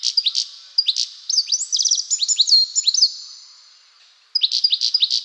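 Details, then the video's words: European goldfinch sings rapid, high, bell-like tinkling trills and twittering notes in quick chattering bursts, with a short pause before another lively burst. "Here's what the goldfinch sounds like."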